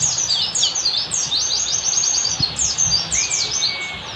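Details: Oriental white-eye wild-style 'ngalas' master song for training caged birds: rapid high twittering bursts in quick succession, ending with a single drawn-out thin whistle.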